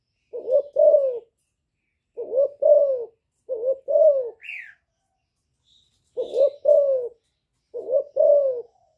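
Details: Young spotted dove cooing in the hạp bổi voice with bowing coos, a decoy rousing wild doves; five low paired coos in spaced groups, plus one short high chirp midway.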